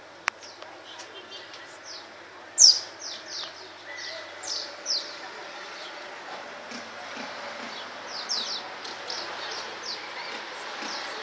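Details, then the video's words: Swallows on the wing above Csíkszereda, Tudor district: one sharp close chirp, then many softer, high downward-sliding tweets in loose clusters, over a constant hiss. "Fecske repülés, és csiripelés"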